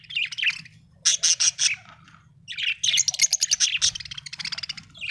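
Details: Chirping song of a happy budgie: fast runs of sharp clicking, ticking notes repeated in rhythmic trains, mixed with buzzy warbles, steady low hum underneath.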